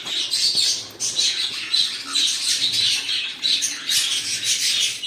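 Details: Pet cockatiels calling together in a dense, continuous stream of harsh, high squawks and chirps that overlap with barely a pause across the whole stretch.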